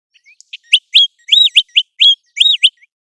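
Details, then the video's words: Loud, clean series of high whistled notes from an American golden plover, a bird that calls through migration and breeding; roughly seven short arched and rising notes within three seconds. "American Golden Plover Call | American Golden Plover Sound"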